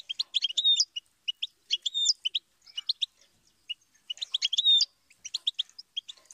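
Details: Goldfinch song: rapid, sprightly chatter of high twittering notes, repeated in lively runs with a few drawn-out whistled slurs, separated by brief gaps.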